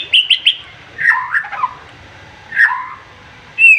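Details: Agitated white-rumped shama with a piercing song aimed at a rival: three quick whistled notes, then lower scratchy warbles, a pause, another descending warble and a final bright whistle.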